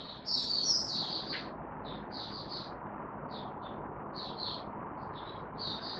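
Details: Captive white-eye, treated with dewormer and health supplements, in opening song on 18 May 2022: scattered short high chirps and twittery phrases, faint beneath a steady loud background rush of noise.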